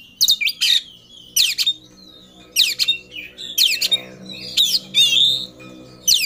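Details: Caged Oriental magpie-robin singing in full emotion while seeking a rival: loud, harsh, rasping bursts mixed with sweeping whistled notes, delivered in short separated phrases about once a second, with a faint low hum behind.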